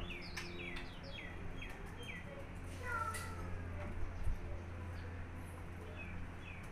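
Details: Golden-fronted leafbird of Vietnamese origin singing a quick run of short, high, downward-sweeping whistled notes, then a lower slurred whistle and a few sparse high notes later, over a steady low hum.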